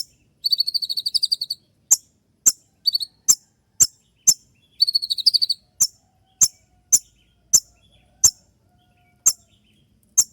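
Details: Sharp shot song of a konin trotol, a kolibri ninja kept for songbird contests, played at dawn for training: two buzzy rattling trills, then a run of crisp high shot notes roughly every half second.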